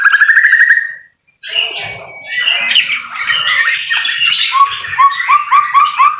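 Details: Rain-time song of a white-rumped shama: a buzzy rising note, a short pause, then dense chattering and whistled phrases, finishing with repeated quick upslurred notes.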